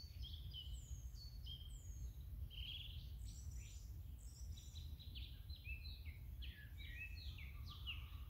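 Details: Great grey shrike, a wintering guest in the Netherlands in autumn and winter, filmed impaling and eating a mouse, gives a busy run of short, clear, high, varied chirps and whistles, some rising, some falling, over low wind rumble.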